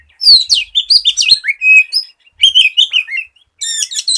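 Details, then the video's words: An Oriental magpie-robin in vigorous song, used as a lure so untrained birds sing sooner. A continuous flow of slurred whistles and warbles runs on, then ends in a high chattering burst. "SIULAN KACER GACOR"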